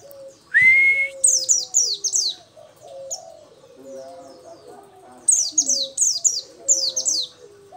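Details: Actively singing Oriental white-eye of a local variety: after an opening steady rising whistle, high thin downslurred notes pour out in rapid runs of three or four, pausing between runs, over a soft low hum.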